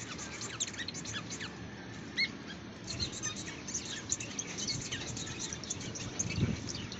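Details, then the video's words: Society (Bengalese) finch song: rapid, scratchy high chirps and short buzzy notes tumbling together, over a low rumbling background and other small-bird twitters. "Banglise finch singing a song"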